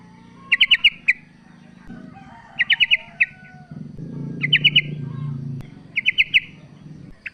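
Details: Female sooty-headed bulbul calling the male: bursts of four quick, bright chirping notes repeated roughly every one and a half seconds, over a low steady background hum.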